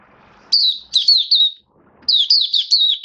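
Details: Oriental white-eye kept as a caged songbird, V2 bird in build-up form, gives high, sweet twittering phrases in two bursts with a pause between, notes sliding down and up in quick succession.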